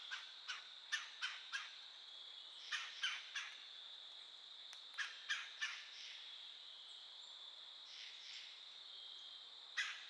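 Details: Woodpecker calling in woodland, giving sharp, clipped notes in quick runs of three to four, repeated several times over a steady, high insect drone.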